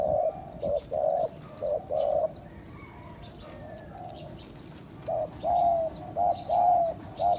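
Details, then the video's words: Spotted dove cooing used to excite and attract other doves: a burst of soft hooting notes, a pause of near quiet, then another run of coos, some with a slight downward slur. "chim cu gáy , kích bổi siêu nhanh"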